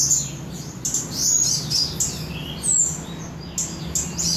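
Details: Mountain leafbird in Samarinda delivering bright, high sliding whistles and short twittered notes in quick succession against a steady low droning background.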